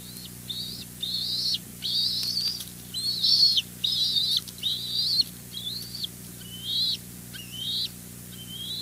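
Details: At a West End bald eagle nest, young males rush an adult male delivering two fish and kelp. Shrill whistled notes repeat roughly once a second in uneven bursts, each rising then dropping, over a faint low hum.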